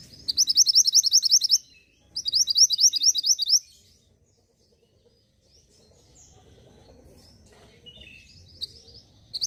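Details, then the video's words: Song of the Mantenan gunung, played to get caged birds singing: two bursts of rapid high chattering notes, each about one and a half seconds, separated by a short pause, followed by quiet, sparse twitters. "PENARIK RESPON BUNYI UNTUK BURUNG MANTENAN GUNUNG AGAR CEPAT GACORR."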